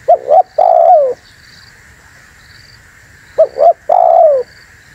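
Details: Tekukur or spotted dove call meant for trapping wild doves and stirring rivals: a pair of quick rising-falling coos then a drawn-out coo sliding downward, the phrase given twice about three seconds apart over a low hum.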